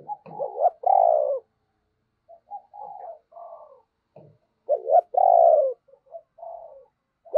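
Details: Spotted dove used as a lure bird to draw in wild doves, cooing loudly: phrases of short stuttered notes leading into a long, falling, hollow coo, each followed by softer trailing coos, repeating about every four seconds, quiet background.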